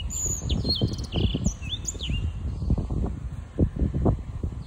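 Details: A six-month-old young Black-throated canary (Crithagra atrogularis) singing a quick, varied twitter of high slurred whistles and short trills, mostly in the first two seconds, over heavy low wind rumble.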